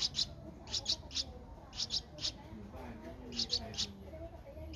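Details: Twelve-day-old Streak-eared Bulbul chick in Ubon Ratchathani, Thailand, on 14 April 2023. It makes soft, high, squeaky peeps, mostly doubled, in three spaced bursts, over a quiet background with faint low voices.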